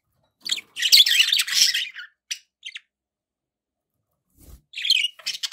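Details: Budgerigars kept as pets give a dense, loud scratchy warble for about a second, followed by a few clipped chirps, a pause, then another buzzy chattering burst.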